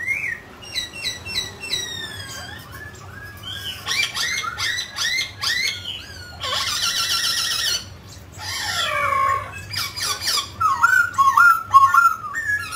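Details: A mutant grey laughingthrush sings while dancing, mixing repeated short descending whistles, harsh chattering bursts, and rich warbled phrases that end in quick rising and falling whistles.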